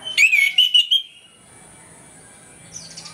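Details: An orange-headed thrush singing in the morning gives one loud, rich phrase of fast, warbled whistles lasting about a second, followed only by a faint higher twitter against near silence.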